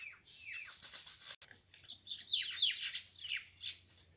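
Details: Quarrelling common mynas contest a date palm nest hollow at 6 pm in rural Bangladesh, May 2021. Harsh, falling chirps and scratchy squawks come in irregular bursts while a high, continuous insect hum fills the background.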